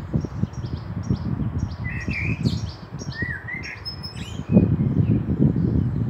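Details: Common blackbird song recorded 18 May 2021 in Meschede, Germany, alongside a fieldfare pair: two fluty, slurred phrases separated by thin high chips and twitters, with strong low rumbling throughout.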